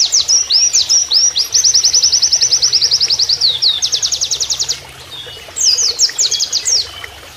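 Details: Oriental white-eye in 'nembak kenarian' master style: twittering start, then a long rapid trill of high repeated notes for about three seconds, a short gap, and a further quick phrase of slurred notes.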